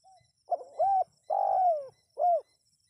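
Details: Spotted dove call played to get wild birds to answer: loud, hollow coos in a broken phrase, a short note, a double note, a long drawn coo, then a final clipped coo, with quiet gaps between.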